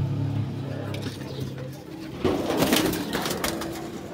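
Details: Purple pigeons give low, throaty rolling coos, then a burst of rustling and clattering noise; faint music may be in the background.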